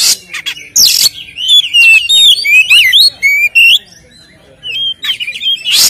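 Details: Captive-lure song of a white-rumped shama meant to provoke other birds: harsh rasping bursts open and close a sequence of rich, swooping whistles and trilled notes, with a brief quiet gap.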